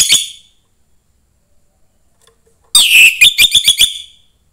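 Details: Young wild-caught orange-headed thrush from the forest, singing to stimulate other thrushes: a short burst of bright, high whistled notes, then silence, then a rapid run of sharp, clipped notes and whistles.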